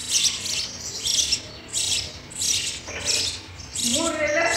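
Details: Sparrow chicks begging in the nest at feeding time, loud hissy chirp bursts roughly every second, followed near the end by lower, rising harmonic notes.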